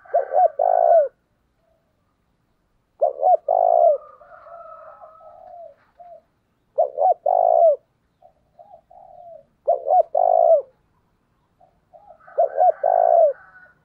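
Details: A spotted dove used as a lure bird to draw in wild doves gives deep, throaty coo phrases, each a quick burst of notes, repeated every few seconds.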